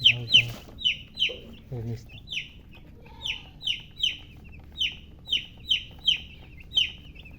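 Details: Chicken chicks give loud, high, downward-sliding peeps in a steady series, roughly two each second. Brief clucks and low sounds come at the start.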